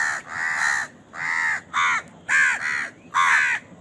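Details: Crow cawing during feeding, crows competing for food; loud, harsh, buzzy caws given in a quick uneven series of about six, roughly one per second.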